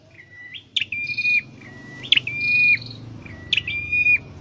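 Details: Caged scarlet-headed flowerpecker being trained to sing: three high chirped phrases about 1.4 seconds apart, each a sharp downward flick into a steady, slightly rising thin whistle with a fainter upper overtone; low background hum.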